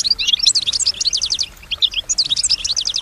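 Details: A kept female European goldfinch sings, copying surrounding sounds: two fast, liquid twittering phrases of high chirps and trilled notes separated by a short break.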